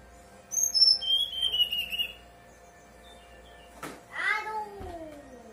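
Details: Brown-chested jungle flycatcher song used as a lure to make other birds sing: a run of very high, thin whistles stepping downward, a pause, a sharp click, then lower slurred sounds.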